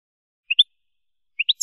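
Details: European goldfinch, Spanish song recording for tutoring young birds: two quick paired chirps, each pair rising, clean and high-pitched, separated by about a second of silence.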